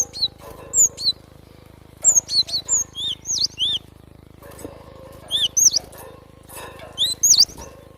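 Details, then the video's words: Java sparrow singing with natural surroundings: bursts of high, bell-like chirps and short tinkling notes in clusters, separated by pauses, over a faint low hum. "GLATIK SUARA ASLI ALAM"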